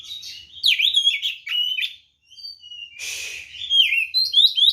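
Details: White-rumped shama giving a provoking fighting song: quick sweeping whistles and chatter, a brief pause, a harsh rasping note, then bright rising whistles.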